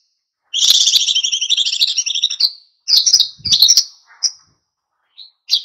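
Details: Wild-style singing of an oriental white-eye, meant to stir other birds to sing: a long, rapid, buzzy high chatter for two seconds, then shorter twittering bursts and a few isolated chirps.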